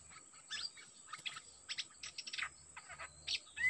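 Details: A decoy Dok Taeng bird faces a fierce wild-caught bird. Scattered high chirps and rapid buzzy twitters come in short bursts, over a constant thin high-pitched whine and faint low rumble.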